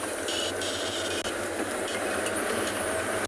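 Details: Steady engine rumble and vehicle vibration during an afternoon safari drive in South Africa, with broadband hiss and two brief clunks.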